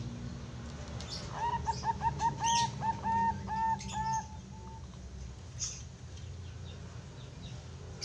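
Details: Bangkok zebra dove, a young bird with a good, bassy voice used as a master for training birds. It delivers a rapid, rhythmic string of clipped coos lasting about three seconds, then quiet with low background rumble.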